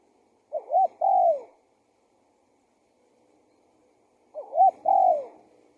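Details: Spotted dove decoy call used to lure wild doves: a low, soft two-part coo phrase, a short hooked note then a longer falling coo, repeated after about four seconds of silence.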